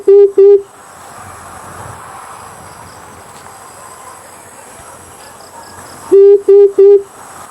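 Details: Used for bird hunting as a lure, an Amethyst brown fruit dove gives low hooting notes in short series of two and three, separated by a long stretch of faint insect noise and a constant high hum.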